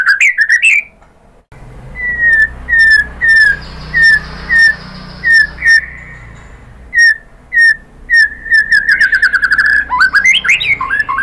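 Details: White-rumped shama lure song to draw a reply from other shamas: clear, slightly falling whistles spaced about half a second apart, then a rapid trill and quick varied phrases at the close.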